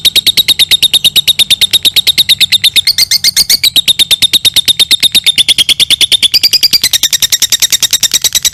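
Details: Lovebird in extended ngekek, a long trill for training other birds: an unbroken, very fast rattle of shrill buzzy notes that grows denser and slightly higher toward the end.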